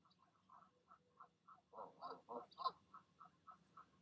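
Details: Parent geese in the evening, the mother calling her goslings down from the nest so they leap: soft, low grunting notes repeated several times a second, swelling into louder, harsher calls midway, with faint background hum.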